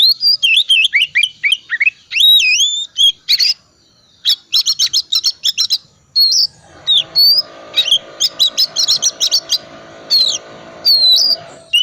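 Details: Oriental magpie-robin in loud, varied song used to coax silent magpie-robins: wavering whistled phrases, fast rattling trills of identical clicks, then mixed chirps and swept whistles over a low background hum.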